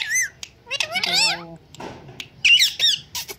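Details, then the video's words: Indian green ringneck talking parrot, said to speak words and meow; a high squeal, then a longer wavering harmonic cry with a low buzzy tone, a pause, and a cluster of shrill chirps. "Indian Green Ringneck Talking Parrot talking good || mitho put,meow,Dancing and wistling very well"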